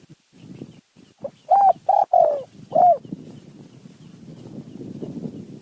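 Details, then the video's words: Wild spotted dove reacting to a decoy in mountain forest, delivering a rapid run of four or five loud hollow coos, some slightly rising, amid soft rustling and background noise. "นกป่าคารม โยน 4 3 2 1 กุก เรียก 1 2 กุก"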